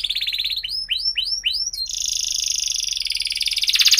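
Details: Canary lure song for young learners: a high trill, four loud rising swooping notes, then a long, fast, rattling roll.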